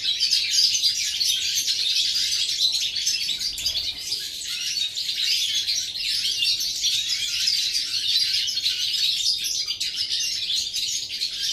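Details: Goldfinch song recorded 11 September 2018, a long, unbroken chorus of rapid high-pitched twittering and tinkling chirps, evenly loud for over ten seconds, with overlapping voices hinting at more than one bird.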